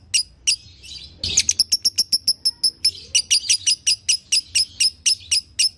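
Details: Lovebird singing, used to stimulate a silent lovebird: a couple of isolated chirps and a soft buzzy note, then a quick rattle that settles into a steady series of sharp, high chips.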